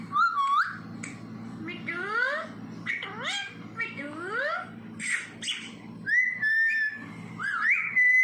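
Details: Pet parrot, a mithu, mimicking sounds indoors: rising and falling whistled glides, squeaky warbles and sliding tones in bursts, ending with a sustained steady whistle; a person speaks softly and music plays in the background.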